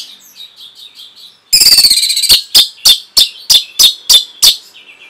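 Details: Orange-headed thrush training song for caged birds: soft, quiet warbled notes give way to a loud burst, then sharp, high, ringing notes repeated about every third of a second.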